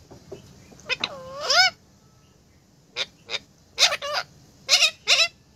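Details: Parrot calling in a series: an early drawn-out, curving harmonic squawk, then short harsh bursts in irregular pairs about a second apart, each sharp and raspy; quiet hiss between calls.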